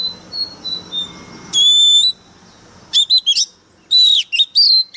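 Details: Fired-up Oriental magpie-robin used as a decoy, delivering a clear steady whistle, then a stuttering run of short sharp notes and a closing cluster of bright slurred whistles over faint background chatter.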